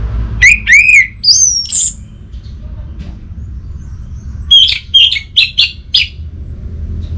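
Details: Orange-headed thrush phrases: two looping slurred whistles and a high thin note, then after a pause a quick stuttering series of five short whistled notes.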